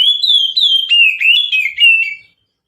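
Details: Oriental magpie-robin with its mountain-style lure song: a ringing whistled phrase of just over two seconds, gliding notes slowly falling in pitch, interspersed with quick clicks, then silence.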